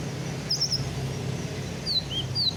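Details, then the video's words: Kept sunbird (kolibri ninja) fresh from its moult, giving a quick cluster of high sharp notes followed by a few separate thin, downslurred whistles over a low rumbling hum. "BURUNG KOLIBRI NINJA BARU SELESAI MABUNG"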